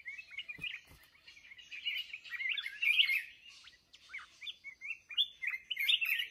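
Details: Red-whiskered bulbul, a wild-matured adult kept for song, in Binh Tan, Ho Chi Minh City, Vietnam, pours out dense, liquid warbled phrases, bright and quickly varied, with overlapping chirps and a couple of low thumps early on.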